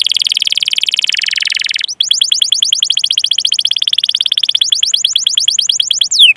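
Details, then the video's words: Canary tutor song for training other canaries: a fast, evenly pulsed buzzy roll, then a brighter rolled trill of rapid downward sweeps repeated many times per second, closing with a falling whistle. "Masteran Suara Burung Kenari Gacor Panjang cuit cuit Ngerol untuk Pancingan Kenari!"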